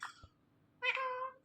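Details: Pet talking ringneck parrot giving a catlike meow: a brief high note slides down, then after a pause comes a nasal, harmonic, steady meow lasting about half a second, over faint background hum.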